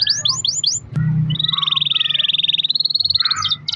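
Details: Canary singing a long roll, played to set other canaries singing: four quick falling notes, a brief low thump, then a sustained fine trill ending in a rising flourish.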